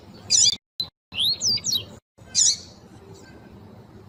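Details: Female double-collared seedeater calling to get males singing: a buzzy high chirp, then a few thin slurred whistled notes, then another chirp, with a quiet background.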